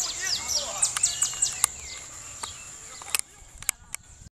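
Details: A female euphonia gives a quick run of short, high chirps, about four a second, over a thin, steady, high insect-like hiss.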